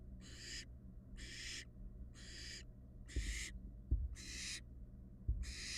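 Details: Barn owl fledglings in a Florida nest box, 2022; six breathy, screechy hisses repeated about once a second with slightly uneven spacing, over low hum and a few soft knocks and thumps.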